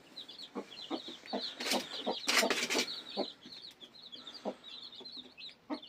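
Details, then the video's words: Freshly hatched village chicks cheeping together in a steady stream of high short peeps, with scattered thuds and a brief rustling clatter in the middle. "koy civcivleri yeni cıkım"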